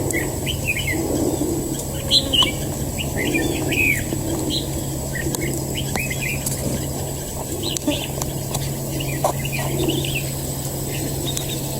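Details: Red-whiskered bulbul, a trapped fighting bird, delivering lively runs of short, bright whistled phrases, repeated in quick groups with brief pauses. A constant low hum runs underneath, with a few clicks.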